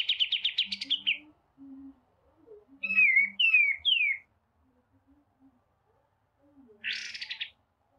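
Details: White-rumped shama song for masteran bird training: a rapid burst of repeated buzzy notes, then loud descending whistled slurs, a pause, and a final harsh rattling burst, over faint low background tones.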